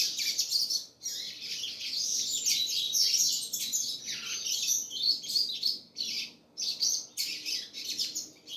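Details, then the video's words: Continuous double-collared seedeater song: rapid, high, tumbling chirps and trills, broken by brief gaps of under a second between bursts. "coleiro gasparzinho filho cachoeira negra"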